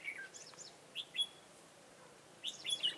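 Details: Red-whiskered bulbul acting as a decoy in a bird trap, 15 March 2018: a brief warbled phrase, a pair of bright whistled notes, a pause, then a final cluster of quick clear chirps.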